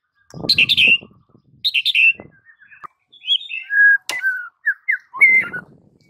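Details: White-rumped shama training recording for silent birds: chirpy bursts over low knocking sounds, followed by clear, sliding whistles and short piping notes.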